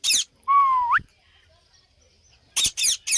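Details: Parrot producing a smooth, steady whistle that sweeps sharply upward at the end. A harsh screech comes before it, and three rasping screeches in quick succession follow.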